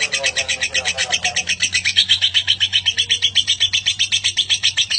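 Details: Lovebird in long ngekek chatter, the kind of extended song kept to teach other birds. The harsh, rasping notes repeat about four times a second in a steady, unbroken stream over a faint low hum.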